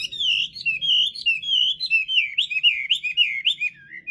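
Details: Chinese hwamei singing persistently: a continuous run of loud, slurred whistled notes that swoop up and down in quick succession for about four seconds, with bright, clear tones and no other sounds.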